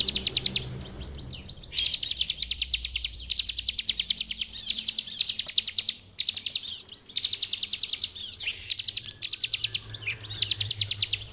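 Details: Bar-winged prinia singing in the full ngebren style used as master song for training other birds: fast bursts of sharp, high ticking notes in long rattling series, broken by short pauses, with faint low hum beneath.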